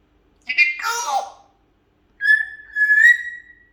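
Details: A pet talking African grey parrot in a Malayalam-speaking home gives a brief, speech-like phrase that slides downward, then a clear, steady whistle held for over a second; no other sounds.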